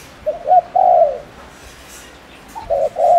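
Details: Spotted dove lure bird from Ninh Thuận, Vietnam, cooing to provoke rival males: two soft, low coos, each a short note followed by a longer drawn-out one, repeated after a pause.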